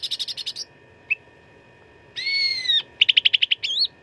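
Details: Cucak ranting singing a contest-style fighting song used as a training recording: bursts of rapid high pulsed notes, a sustained buzzy whistled note, then a fast series of sharp chips and a rising slurred whistle, over a steady faint hum.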